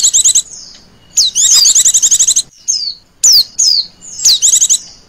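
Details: Female Oriental white-eye lure call in the ngecir style: very high, rapid chattering trills in bursts, interspersed with thin descending whistled slurs, separated by short pauses.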